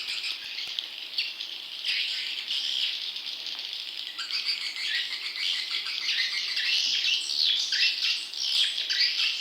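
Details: Swiftlet chick calls played to lure wild young swiftlets: a dense, continuous stream of high, buzzy chirps and twitters that grows busier and louder in the second half, with no other sounds.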